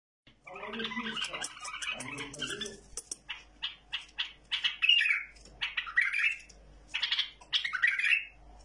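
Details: Tamed bulbul singing what is presented as flawless song: after about three seconds of low, voice-like sound, rapid clicks give way to short, chattering, warbled phrases with bright sweeping notes, separated by brief pauses.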